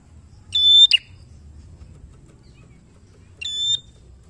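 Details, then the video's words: Lure song of a vigorously singing Bar-winged prinia, used to draw song from untrained prinias: a piercing level whistle snapping into a short buzzy note, then a second whistle about three seconds later. "Prenjak gacor khusus Pancing Bunyi prenjak bahan"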